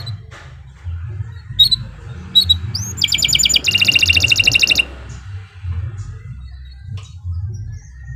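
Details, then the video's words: Canary in a sparse song passage: a few isolated high chips, then a short burst of loud buzzy trilling lasting under two seconds, followed by quiet faint notes over a persistent low hum. "Kicau Burung Kenari 132 II LUAR BIASA GACOR PANJANG Cocok untuk Masteran"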